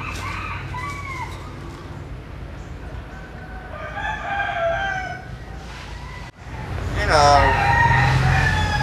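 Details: Common hill myna from rural southwestern Vietnam copying human words: several short, tonal spoken-sounding phrases with gliding pitch, a brief pause, then a louder, rapid sequence of clipped syllables over faint background hum.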